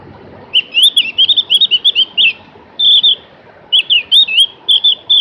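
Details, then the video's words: Javan grey-throated white-eye, or cak gentong, pouring out long melodious phrases of fast looping, warbled whistles, two runs separated by a short pause, with faint background rumble. "kicoan merdu burung Opior jawa atau cak gentong"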